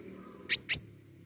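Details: A rapid double chip, thin and very high-pitched, from an actively singing pentis raja flowerpecker, set against a faint low droning hum.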